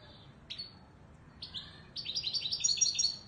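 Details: Moroccan goldfinch of the Widani Marrakchi song style: a lone clipped chirp, a short pause, then a few twitters that build into a rapid, tinkling stream of high, repeated notes growing louder toward the end.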